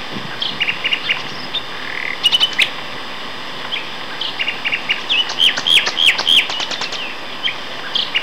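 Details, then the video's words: Nightingale duet by two males, Castor Hanglands near Peterborough, May 2012; clusters of repeated chips, brief rattles and looping whistled notes in rapid sequence, roughly three per second. "Nightingale Duet"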